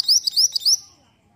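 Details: Mantenan (black-winged flycatcher-shrike) lure song to draw a response. Three bright, upward-slurred whistles alternate with short clipped notes, then fade to quiet.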